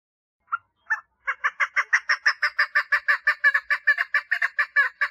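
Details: A female chukar partridge calls for a mate, opening with two separate chuck notes, then breaking into a quick, steady chain of harsh, repeated clucks.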